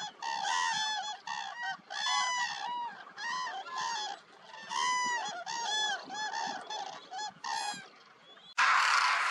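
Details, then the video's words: A large wintering flock of Demoiselle and Common Cranes at Nal Sarovar, Gujarat, India, January 2021. Loud, repeated trumpeting calls overlap in waves. A sudden burst of rushing broadband noise follows near the end. "Cacophony of Cranes"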